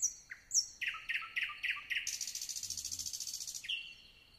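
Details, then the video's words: Nightingale song: a couple of thin high whistles, then a run of loud, punchy repeated notes building into a fast, buzzing high trill, closing on a single drawn-out whistle; quiet background. "nightingale singing"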